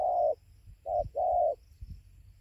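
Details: Spotted dove calling at 5:20 am beside a roosting tree in Gia Lai, Vietnam, 24 November 2020. Three low, hollow coos: a longer first note, a short one, then another long drawn note, with faint low background rumble.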